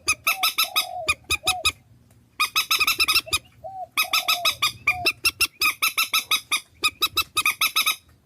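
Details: Decoy recording of swamphen from Vietnam: long runs of harsh, rasping honks delivered in quick rhythmic series, with soft lower mewing notes in between and a brief silent gap.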